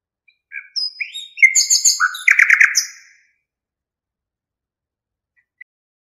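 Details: Song of the nightingale, locally named Hasaniya: scattered high whistles leading into dense, rapid chirping and a loud buzzy rattle, followed by several seconds of silence with one faint click.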